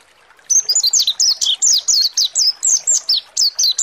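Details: Ngalas-style song of a mountain white-eye, used as a lure to make birds open their beaks and sing: steady, high, sweet downslurred chirps repeated more than once a second for three seconds.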